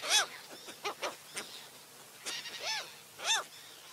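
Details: Short arched gull cries repeated at irregular intervals over faint background noise.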